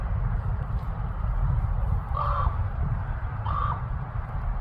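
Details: Common ravens in Alaska, Anchorage area: two harsh, hoarse calls about a second apart, each short and slightly flattened, over a constant low rumble of wind or distant traffic.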